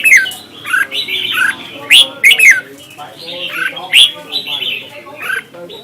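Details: Red-whiskered bulbul contest singing from Vietnam, used as lure sound to train and stimulate birds: quick, lively warbled phrases, loud, clear whistled notes rising and dropping, with short pauses between bursts.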